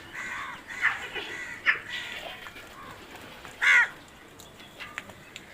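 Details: Crow giving a few scattered harsh caws, one loud caw standing out against a noisy outdoor background.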